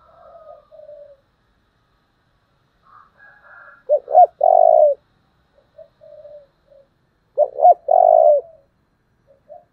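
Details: Model decoy spotted dove singing 'giọng thổ' style coos, very strong. Quiet low coos alternate with two loud phrases about 3.5 seconds apart. Each phrase is a jerky doubled note followed by a sustained throaty coo.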